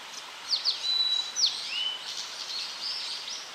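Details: Tledekan singing, a recording made to train cage birds: quick downward-sweeping chirps, then a long level whistle and a rising-falling slurred note, with soft hissing noise behind.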